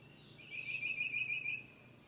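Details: A male Red-bellied woodpecker in a front yard gives one rolling, burry churr lasting about a second at a fairly high pitch, over a steady high hiss of insects.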